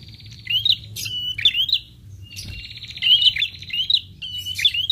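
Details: Prinia call played as a lure that prinias answer, with high looping chirp phrases following each other closely, a buzzy trilled note in the middle, and a quiet low rumble throughout.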